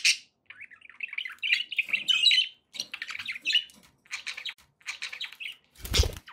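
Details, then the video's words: Pet budgerigar warbling in a long scratchy chattering phrase, followed by shorter chirp bursts and a loud rustle or knock at the end. "relaxing budgie sounds"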